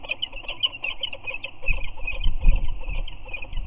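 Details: At their Anacapa eyrie, adult peregrine falcons greet each other with chirps and head bows. Dense, rapid bright chirps run throughout, partly blended into a constant high-pitched hum, with low thumping noise in the later part.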